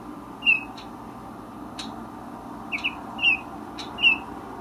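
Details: Resident male Baltimore oriole singing on a windy day; short clear whistled notes, single and paired, spaced a second or so apart, over steady wind rumble and regular faint clicks.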